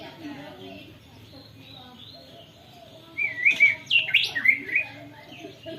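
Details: White-rumped shama with canary-imitation song, phone recording: quiet murmured background for three seconds, then a burst of bright slurred whistles and twittering phrases, rising and falling rapidly, with faint low noise beneath.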